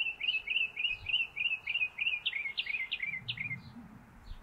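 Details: A Northern mockingbird, singing and preening on its favourite perch atop a stove pipe, sings a bright, chirpy phrase about seven times in quick succession, then a new slurred phrase repeated several times, over faint hiss.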